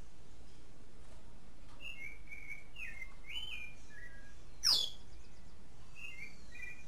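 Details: Clay-colored thrush (Turdus grayi) singing during the mating season in Costa Rica: short, slurred whistled phrases at a mid-high pitch, a few each second, over steady low rumble, with one sharp snap partway through.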